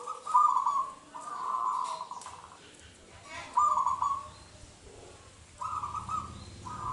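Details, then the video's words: Local wild Zebra Dove from Indonesia, used as a lure to prompt other doves to sing: rolling, purring coos in phrases about a second long, repeated with pauses, over faint background noise. "Suara Pikat Perkutut LOKAL Super Gacor sangat COCOk Buat Pancingan Perkutut Lain"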